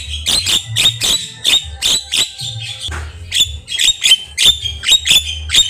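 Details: Energetic Javan myna song, recorded as a masteran for teaching captive songbirds: rapid, evenly spaced harsh chattering notes about one and a half per second, with a brief noisy pause midway and low background hum.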